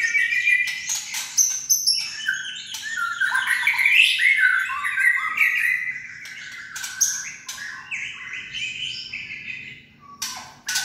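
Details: Kretekan of a white-rumped shama, meant to provoke shamas into lively singing: rich tumbling whistles and warbles broken by bursts of crisp clicking rattles, fading then returning with a few sharp clicks at the close.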